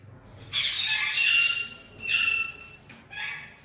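Sulphur-crested cockatoo giving three harsh, raucous screeches, the first long and grating, the next two shorter, with a slightly echoing room sound.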